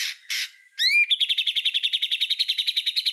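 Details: White-rumped shama song used as a master recording for tutoring other songbirds: two harsh bursts, a rising whistled slur with harmonics, then a rapid rattling trill of about twenty evenly spaced high notes.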